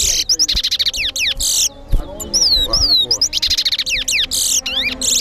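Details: Towa towa (chestnut-bellied seed finch) singing in a competition at Guyana National Stadium: harsh buzzy trill bursts alternating with sweet slurred whistles, a short pause midway, and a man speaking briefly underneath.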